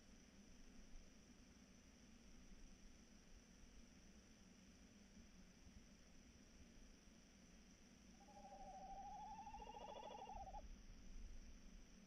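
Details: Tawny owl recorded on 3 March 2018 around 21:14, giving a single wavering, quavering hoot of about two seconds that rises slightly and trembles at a steady mid pitch, heard over a constant low hum and background hiss.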